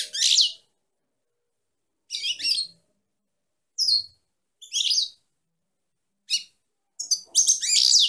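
A female European goldfinch sings short bursts of bright, tinkling twitters and buzzy trills, separated by brief pauses, ending in a longer liquid phrase.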